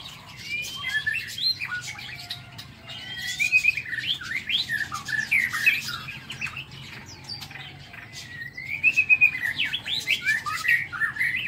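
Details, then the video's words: Captive White-rumped shama in an aviary, morning: rich varied song of whistles, warbles and harsher squawky notes in bursts, with rustling and clicking around it. "Tiếng Chích Chòe Lửa độc lạ hay"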